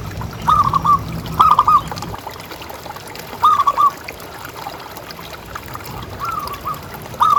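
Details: Zebra dove of a local, big-voiced strain, used as a lure to make caged doves call. Crisp trills of quick bouncing coos appear in short bursts with gaps between, one softer phrase, and faint background hiss.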